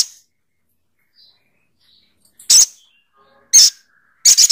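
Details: Little spiderhunter uttering three loud, sharp, high-pitched chips spaced about a second apart, the last one doubled, with near silence in between.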